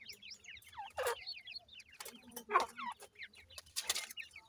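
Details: Grey francolin chicks kept indoors, uttering sharp, high, down-slurred peeps in short bursts, interrupted by loud scuffling and tapping sounds and a low hum.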